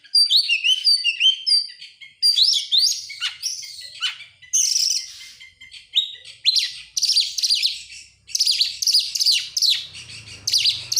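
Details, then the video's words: Lure song of an oriental magpie-robin to prompt other birds to sing, a long mix of clear whistles, buzzy trills and harsh rasping phrases in bursts, with faint low rumbling near the end. "buat pancingan Kacer sangat top buat burung mewah"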